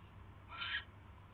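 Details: Owl on a night-time live camera after catching a mouse, January 28, 2016; a single brief raspy hissing screech lasting about a third of a second, with a faint low hum behind it.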